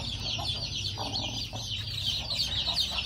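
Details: Newly hatched chicken chicks beside their brooding hen, many of them cheeping at once in a steady shrill wash of high peeps, with a few soft low clucks underneath.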